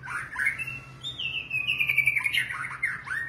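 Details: White-rumped shama, known locally as murai batu ekor panjang, delivers varied whistled song: a long sliding note that drifts gently downward, then quick warbled flourishes and a rising final phrase, with a constant low electrical hum behind.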